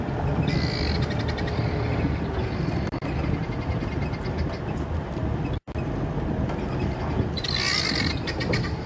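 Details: Helmeted guineafowl at Djuma Game Reserve on the morning of 20 March 2015 give harsh, rapid rattling alarm calls in bursts, upset by a leopard, possibly a male, moving very close by.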